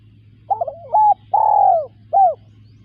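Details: Spotted dove cooing: a short stuttered opening note, then a level hooting note, a long falling coo, and a brief final arched coo, all low and mellow against a quiet, steady background hum.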